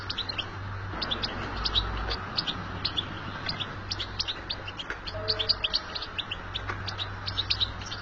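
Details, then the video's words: European goldfinch in the wild delivering a rapid, tinkling string of high chirps and twitters, steady throughout, over a low background hum, with a short faint tone midway. "بتبتة الحسون في الطبيعة"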